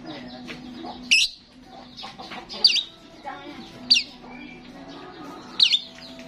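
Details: A starling singing vigorously, used as a lure for starlings: sharp, twisting whistled notes repeat every second or so over a bed of busy chatter and twitters.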